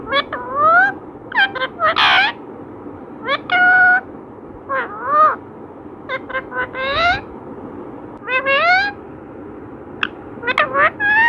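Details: Parrot talking in mimicked human words, a long sequence of short harmonic syllables, often rising in pitch, coming in clusters every second or two, with one brief harsh burst near the start and soft hum.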